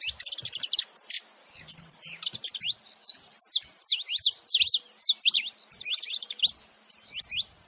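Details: Saffron finch male and female together making noise: busy overlapping high twitters, then a run of loud sharp descending chips in quick succession, with more twittering near the end.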